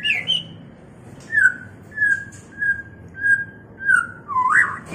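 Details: White-rumped shama in mating condition: a sharp rising whistle, then a string of short, level whistled notes about every second, ending in an upward-sweeping whistle, over a low steady hum.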